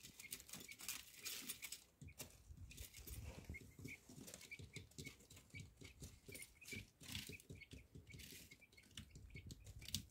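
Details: Common quail chicks give thin, high peeps, repeated many times over steady rustling and scratching.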